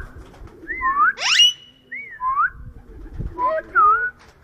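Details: Rose-ringed parakeet talking at a dairy farm in Lahore, Pakistan: a series of clear, swooping, voice-like tonal phrases rising and falling, interrupted by a short harsh screech, with pauses between phrases and faint low background rumble.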